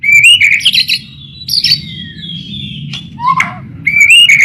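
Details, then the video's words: White-rumped shama song used as a lure for shamas: loud clear whistled phrases with rising notes and short buzzy bursts, broken by brief pauses. "Masteran burung murai pancingan suara burung murai burung murai gacor"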